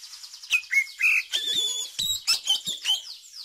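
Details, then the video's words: Song of an oriental magpie-robin, used to coax young birds into singing and to teach them: sweet whistles and chirps mixed with rapid twitters and short buzzy notes, delivered in a busy, varied stream. "Pancingan Kacer Cepat Buka Paruh, Terbukti Manjur Untuk Masteri Kacer Muda"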